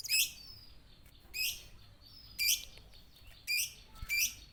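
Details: Cinereous tit song, energetic and played as a lure: five short, sharp, high notes sliding downward, each spaced about a second apart, over a quiet background.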